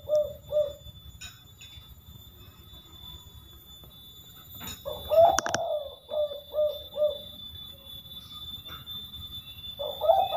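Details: Spotted dove repeating a three-note "kuk" call: short soft coos in pairs near the start, again after a brief sharp clatter midway, and once more at the end, against a quiet hum.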